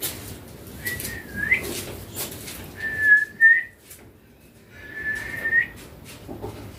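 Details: Baby green Indian ringneck parakeet kept as a pet, giving three drawn-out, steady whistles with brief pauses between them, over faint room noise.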